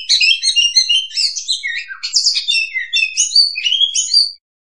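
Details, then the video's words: Oriental magpie-robin trapping lure sound: an unbroken, lively medley of bright whistles, twittering and short scratchy notes lasting about four seconds before stopping abruptly into silence. "suara pikat burung Kacer paling ampuh"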